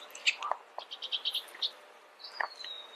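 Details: Bullock's oriole uttering a quick series of short clear whistled notes, then a drawn-out slurred whistle that rises and slowly falls, with a couple of sharp clicks.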